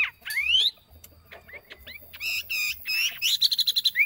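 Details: A decoy yellow phua delivers varied song: rising whistled slurs, scattered short notes, buzzy phrases, and a fast string of bright chips near the end, with faint low background noise.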